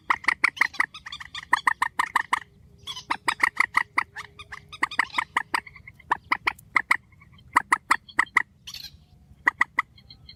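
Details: Strong grey-headed swamphen calling in a spliced recording: sharp, clipped honking notes repeated quickly in runs, some longer rapid series, and softer notes and a faint hum in the gaps.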